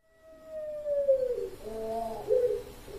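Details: Puter Pelung dove from a Sragen, Indonesia song contest in October 2021, a long gliding falling coo and broken follow-up notes over a steady hiss of background noise.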